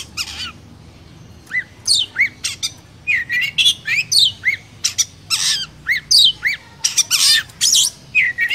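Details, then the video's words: Oriental magpie-robin singing 'chỏ mồi' style in Vietnam, to stimulate other birds: repeated sharp downslurred whistles and scratchy bursts in an irregular, lively sequence, with steady low background noise. "Kích chim chích chòe than hót , tiếng chỏ mồi hay nhất Việt Nam"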